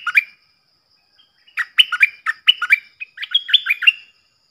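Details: Clear double-style song of a decoy stripe-throated bulbul played to young birds and wild birds: an opening note, a pause, then a long tumbling string of chirpy, warbled whistles.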